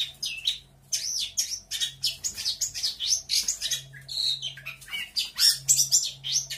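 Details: Local Lampung long-tailed shrike singing a varied medley imitating other birds: fast whistled and buzzy phrases, rising and falling notes packed densely, with a faint low hum underneath.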